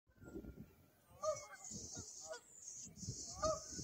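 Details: Canada geese flying overhead above a pier give a few distant, nasal honks amid a steady wash of background noise and a high hiss.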